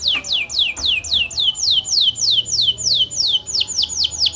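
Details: Canary in full long-duration song, played to get other canaries singing along: a steady string of high, clear notes, each sliding sharply downward, repeated about three times a second and speeding up slightly near the end.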